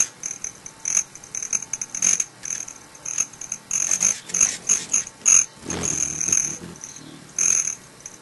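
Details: Broad-tailed Hummingbirds drinking sugar water and fighting give thin, very high chips and scratchy buzzing bursts in irregular clusters, with a louder chattering flurry near the middle; males' tail feathers make a cricket-like sound.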